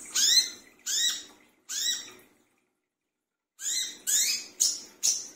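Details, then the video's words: Brown-throated sunbird calling at night as a lure: three grating, rising notes, a silent gap of over a second, then four faster rasping notes. "burung wiceh / kolibri kelapa brisik tengah malam"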